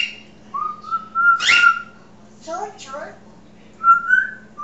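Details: Pet African grey parrot chatting indoors, giving long level whistles that bend up and down, a harsh burst in the middle, a few quick wavering chirps and a final whistle, with a constant low electrical hum behind.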